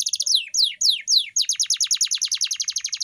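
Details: Canary masteran, a training song for pet canaries: four slow descending whistled sweeps, followed by a rapid even trill of short dropping notes.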